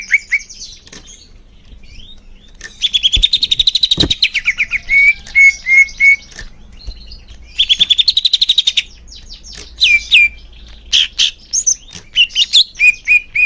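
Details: Leafbird song used as therapy for young birds, made of rapid bursts of high buzzy chirps alternating with clear sliding whistles and short upslurred notes, repeated over several phrases.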